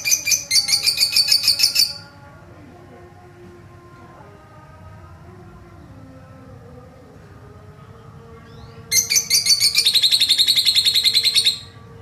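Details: Lovebird giving a long trill used as bait to provoke other lovebirds: two rapid, buzzy, high chattering trills of about two seconds each, separated by a quiet stretch of faint low tones.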